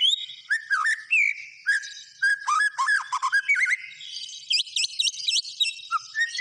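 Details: White-rumped shama pouring out a rich, varied song of swooping whistles and quick dipping notes, ending with a run of high, looping upward-curving notes.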